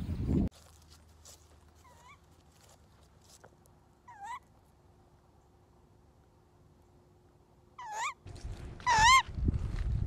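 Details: Captive tawny owl just after flying exercise, noisy and calling for food because it has not been fed yet: four screechy, wavering calls spaced two to four seconds apart, with a loud thump at the start and handling noise near the end.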